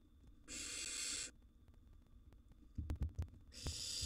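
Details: Young wild barn owl sibling competing for food in a nest box: two drawn-out rasping hisses, the second starting as the clip ends, with sharp knocking and scuffling sounds in between.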